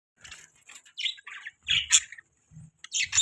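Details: Budgerigar chirping: short buzzy, scratchy chatter notes in quick irregular bursts, with brief gaps and a few sharper squawky notes.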